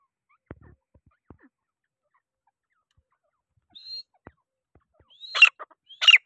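Grey francolin giving two loud, harsh, ringing notes in the final second and a half, each opening with a rising whistle. Earlier come a faint whistle and scattered clicks.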